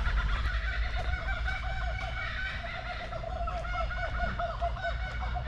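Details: A kookaburra gives a rolling, chuckling laugh of quick repeated notes in the early morning in Perth, Western Australia, heard from a moving car over a steady low engine rumble.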